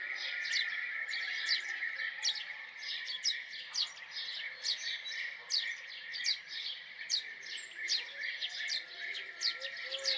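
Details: Sustained house sparrow chirping: ten seconds of crisp, quick chirps that never stop for long, with a steady shrill hum throughout.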